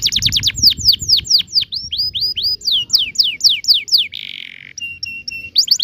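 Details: Vigorous canary ngerol song, a lure for young canaries learning to sing: rapid runs of steep downward-sweeping notes, then a harsh buzzy burst and short flat piping notes before the sweeps resume.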